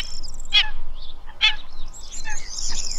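Black-winged Stilt giving two sharp, nasal yelping notes about a second apart. Thin high chirps from other birds and a low background rumble are also heard.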